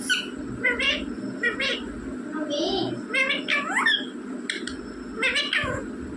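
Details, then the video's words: Pet rose-ringed parakeet talking indoors, mimicking mummy and papa: short raspy syllables and a few upward-swooping whistled notes spaced through the clip, with low background music and room hum. "बोलने वाला तोता मम्मी पापा बोलने वाला तोता"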